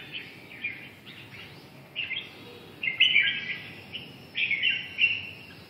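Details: Song of a red-whiskered bulbul (chào mào): lively, slurred, whistled phrases in loose bursts, with the strongest, fullest notes near the end, over faint background hiss.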